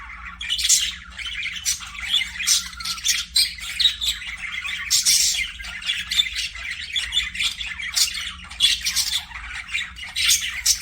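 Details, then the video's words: Budgerigars kept as pets in an aviary give a running stream of sharp chirps, squeaks and raspy warbles, with sudden louder squawks breaking through now and then. "PARAKEET NOISES"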